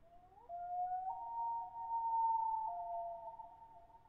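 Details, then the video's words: A common loon gives a long, mournful wail: a short rising note leads into steady held tones that step higher, with a faint low hum underneath. "Loon Call"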